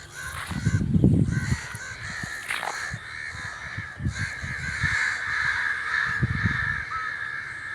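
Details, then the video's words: Crow cawing, harsh broad caws strung in a run through the middle and end, with low thumping and rumbling noise near the start and again toward the end. "Crow | The amazing birds natural crow sound | کوے | کوے کی خوبصورت اواز"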